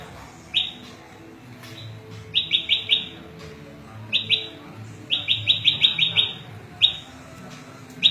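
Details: Scattered short runs of high, rising chip notes from a prenjak lumut (prinia), recorded as tutor song for cage birds and luring, with quieter stretches between bursts.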